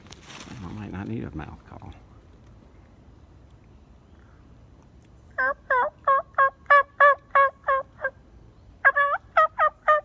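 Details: A wild turkey tom on public land beside a state park, answering and approaching, gives two rapid, rattling gobbles, each a fast burst of about ten gulping notes; a man's whisper at the start.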